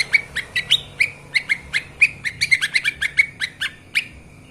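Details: Lesser green leafbird master recording for training: sharp, bright chirps at uneven spacing, some doubled into quick twittering pairs, with high sliding notes over a low background hum.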